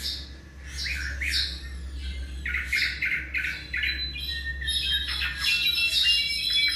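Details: Tropical mockingbird, Mimus gilvus, about seven months old, delivering rapid squawky and chirping notes, some repeated in quick series, mixed with whistles, over a steady low hum indoors.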